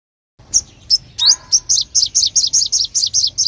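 A sunbird gives a rising high note, then a fast run of sharp, very high chirps, about four each second.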